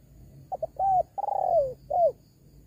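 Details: Spotted dove call used as a lure to attract wild doves: two quick soft notes, a clear cooing note, a long rolling coo that slides downward, then a short final coo, over a faint low hum.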